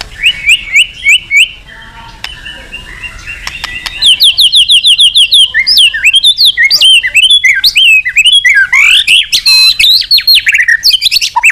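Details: An actively singing white-rumped shama calling a rival, used as a lure: a few clear whistles, a quiet pause, then a rich tumbling run of varied chirps, slurs and high fluty phrases.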